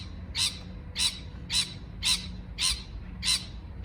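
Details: Parrot repeating six harsh, buzzy chirps at an even pace of about one every half second, with a faint low hum behind.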